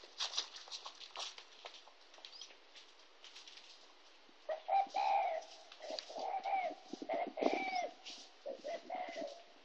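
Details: Spotted dove in Kon Tum, Vietnam, recorded 26 January 2016: low, soft cooing notes begin midway and come in short hollow phrases, partly masked by rustling and scraping noises throughout.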